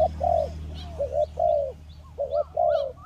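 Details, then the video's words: Spotted dove, kacuk and kampung types, recorded as a trapping lure: hoarse coos in short groups, two quick notes then a longer drawn note, repeating. Small high chirps from another bird behind, plus a low steady hum. "Pikat Tekukur Kacuk dan Tekukur Kampung"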